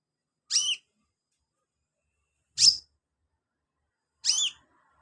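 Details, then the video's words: Sunbird used as filler song for training caged birds: three high, sharply curved chirps, each a quick down-and-up sweep, separated by roughly two seconds of silence. "BURUNG KOLIBRI/CONIN GACOR buat isian"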